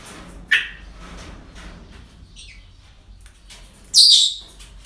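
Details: Parrots heard at a breeding centre on an ordinary day: a sharp harsh squawk near the start, faint chatter, then a louder raspy high screech toward the end.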